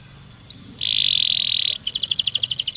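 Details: Domestic canary singing a long rolling song, used to prompt other canaries to sing: two brief rising whistles, then a buzzy sustained roll of about one second, then a fast run of bright chopped notes.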